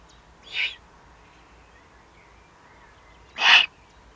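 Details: Wild Eurasian eagle-owl below the nest site in the Eifel, Germany, 31 May 2020; two rasping, hissy bursts about three seconds apart, the second louder and broader, in a quiet setting.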